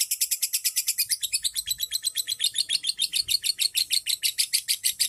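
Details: Long ngekek of a lovebird, played to stimulate other birds into the same trilling: an unbroken, rapid series of shrill, bright chirps, steady in pace and loudness throughout.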